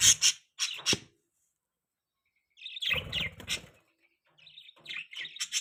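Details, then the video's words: Pet budgerigar chirping: short bright high chirps in quick bursts, then a pause and a longer run of warbling, twittering chatter, with more chirps at the end. "budgie sounds"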